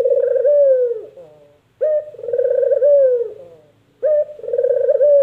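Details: A spotted dove, called puter in Indonesia, gives a repeated purring call: a brief opening note, then a long trilled coo sliding downward, three phrases about two seconds apart.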